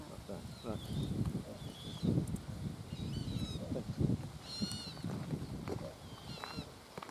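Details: Little bittern calling at RSPB Lakenheath Fen, Suffolk, on 27 May 2015, alongside a coot: low, muffled barks repeated about every second or two under steady wind noise, with thin whistles and squeaky calls from other birds above.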